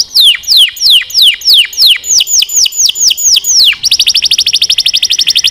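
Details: Song of a canary for training, opening with a run of loud downslurred whistles about twice a second, then switching abruptly to a fast, bright, buzzing trill of rapid high notes.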